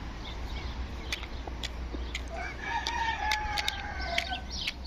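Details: A talking rooster, as described, crows somewhat distantly: a thin, level drawn-out phrase late in the recording, with scattered clucks and clicks and a constant low hum behind.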